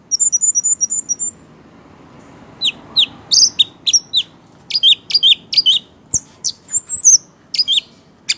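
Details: Orange-headed thrush in energetic 'ngeplay' singing, with a quick high trill, a brief pause, then a string of sharp, two-toned high chirps in staccato groups, plus one soft knock.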